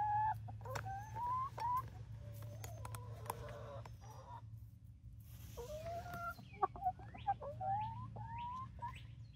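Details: Barred Rock and Gold Star chickens, a 19-week-old flock in Grimes County, Texas, near Iola: rising whistled notes repeated in a series, with a steady low hum and a few clicks.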